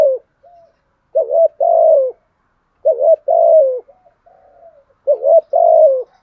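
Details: Spotted dove used as a decoy, cooing in 'gù thúc' style with a 'giọng thổ' voice to lure wild birds. Three paired coos, each a brief hooked note then a longer sliding one, come about two seconds apart against silence.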